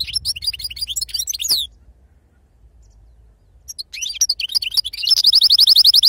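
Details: European goldfinch giving authentic wild 'khloui' Sarfati-style song: a twittering high phrase, about two seconds of silence, then a burst of mixed chirps ending in a fast, even trill of repeated notes.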